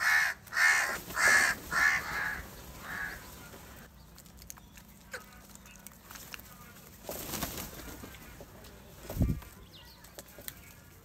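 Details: Crows gathered in very large numbers over salty food; four quick harsh caws open the passage, then a fainter fifth, before a long stretch of quieter murmuring and scattered knocks.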